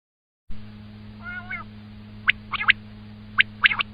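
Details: Common quail calling: after a soft faint warble, two quick three-note phrases of sharp, clipped notes, a short pause between notes and about a second between phrases, over a steady low electrical hum.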